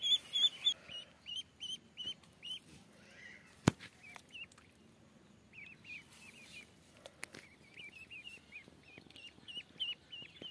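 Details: Duck chicks giving slightly lower, hooked peeps in scattered groups, broken by a sharp click near the four-second mark, with quiet stretches between bursts.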